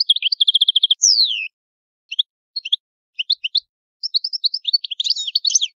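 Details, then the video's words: Italian goldfinch singing in the old style: a quick run of repeated chirps, a sweeping downward whistle, scattered paired notes, then a rising burst of tinkling twitter. "Il canto del cardellino italiano ,il vecchia canto"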